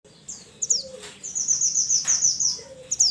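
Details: Mountain mantenan calling its companions, used as a training recording: very high, thin whistles, with short down-slurred notes and one long sustained high tone; faint lower whistles and a soft background hiss.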